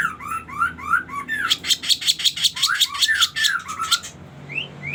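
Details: Sooty-headed bulbul singing energetically in a lure song used for trapping birds: rising chirped notes, then a fast run of sharp, bright repeated notes lasting about three seconds, ending with short upward whistles.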